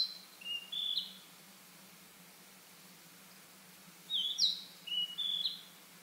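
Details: Narcissus flycatcher perched on a pine branch in a pine forest in spring, singing with all its might as if claiming territory. Two bursts of high, short whistled and slurred phrases about three seconds apart, with quiet between and a faint low hum.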